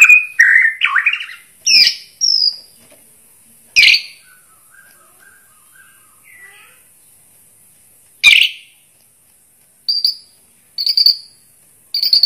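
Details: Bornean white-rumped shama (murai borneo) in vigorous song: short bursts of rich, varied whistles and harsh chattering notes separated by pauses of one to four seconds, with a faint high hiss between phrases.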